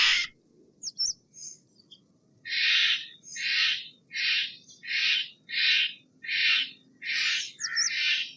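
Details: Steller's jay giving a series of harsh, rasping, buzzy calls, about nine in a row at roughly half-second intervals, preceded by a few thin, high, squeaky notes; quiet background.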